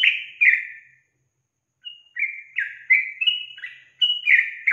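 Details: A female sooty-headed bulbul calls loudly, the kind of calling said to get males replying; a slurred note, a short silence, then a quick run of bright, falling whistles.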